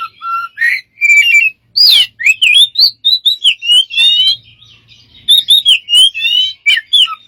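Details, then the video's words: A bird described as smart producing many strange sounds: clear whistled notes, some flat and some sliding up and down, strung together with short squawky bursts and brief pauses, no other sounds. "smart bird have lost of strange sounds"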